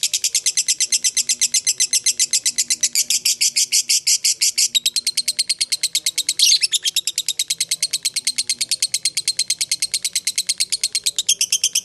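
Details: A fighter lovebird's extended ngekek, a lure for other lovebirds to join in, a nearly twelve-second run of fast, high, grating chatter pulses, evenly repeated, broken by one short harsh squawk in the middle.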